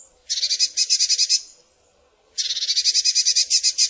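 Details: Eurasian blue tit giving two harsh, buzzy churring bursts, each about a second long, made of rapid scratchy pulses, separated by a short silence; no other sounds stand out.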